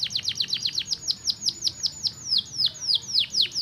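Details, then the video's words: Canary song used to stimulate other canaries: a fast series of downward-sweeping whistled notes, about four per second, slowing slightly toward the end, clear and loud over faint low background hum. "estimular rapidamente o som do canary jam"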